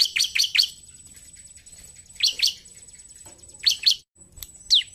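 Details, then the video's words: Bar-winged prinia singing vigorously in narung style: short bursts of three quick high chirps, then long pauses, a single note and a descending slurred whistle near the end. "CIBLEK GACOR NARUNG!"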